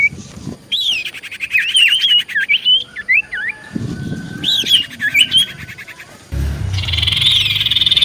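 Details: Common iora in full song as a lure to draw answers: bursts of looping whistles and chattering notes come in two phrases, then a steady high buzzy trill to finish.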